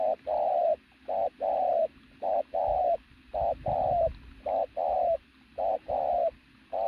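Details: Loud, strong cooing from a powerfully built native pigeon used as a decoy: low, hollow coos in short-then-long pairs, repeated steadily, with faint low rumbling in the background.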